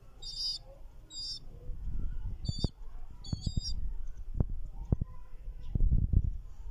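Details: Pigeon chicks making four brief, high, trembling squeaks in the first four seconds, followed by louder low thumps and handling noise.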